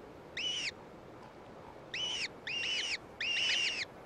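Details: Gyrfalcon at a cliff-ledge eyrie with a downy brood, heard as a gray female returns with food for her chicks; four harsh, arched, nasal calls, the first alone, the last three close together and growing longer.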